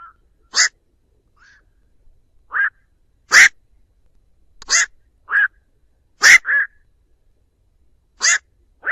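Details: Night heron flock call used as a bird-trapping lure: around ten harsh, barking croaks at irregular intervals, loud raspy notes alternating with softer ones, recorded clean without other sounds.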